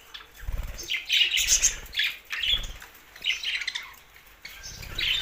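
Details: Budgerigars singing happily: bursts of scratchy, warbling chatter and squeaky chirps come in waves about every second, mixed with low fluttering thumps of flapping wings.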